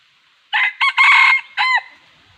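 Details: Red junglefowl crowing, linked to trapping wild junglefowl: one loud four-part crow with two short opening notes, a long harsh middle phrase and a clipped falling final note, all within about 1.3 seconds over a quiet background.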